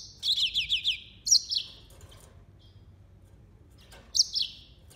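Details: Yellow-fronted canary song: a quick run of five high, downslurred whistled notes, then two short bright phrases after pauses, the last a sharp note sliding into a falling trill; the background is quiet.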